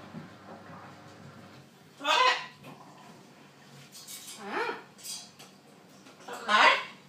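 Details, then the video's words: Indoor talking macaw parrot giving three strong raspy word-like bursts roughly two seconds apart, with softer murmuring sounds in between and faint low rumble at the start. "Funny Talking macaw parrot"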